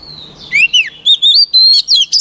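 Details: Shama voice-training song: a white-rumped shama gives a falling whistled slide followed by a rapid sequence of pure, high rising and arching notes, closely spaced and ringing.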